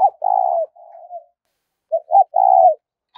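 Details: Spotted dove 'thúc' cooing used to lure wild doves for trapping: a long mellow coo with a softer tail, a pause, then two short notes and another sustained coo.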